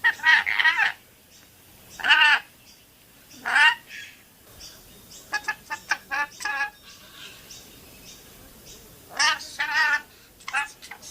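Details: A pet rainbow lorikeet talks and swears, giving rasping, voice-like phrases in separate bursts about a second long, then a fast run of clipped syllables and a final louder pair of scratchy words.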